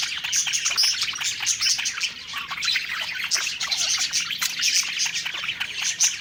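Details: Pet budgies singing happily as they eat, several birds together: busy overlapping twitters, clicks and thin whistled notes, a constant high warbling stream with brief brighter squeaks scattered through.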